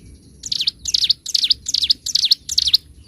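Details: Bar-winged prinia master recording, nembak and ngebren singing: six evenly spaced, high, bright phrases, about two per second, each a quick dipping and rising chirp with a sharp end note, background quiet.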